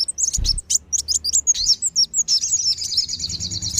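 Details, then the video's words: High sunbird lure call of the wulung and sogon kinds, meant to bring wild birds down: scattered thin chirps leading into a fast, even trill of tiny ticking notes; a soft low thump near the start. "SUARA PIKAT BURUNG KOLIBRI WULUNG DAN SOGON"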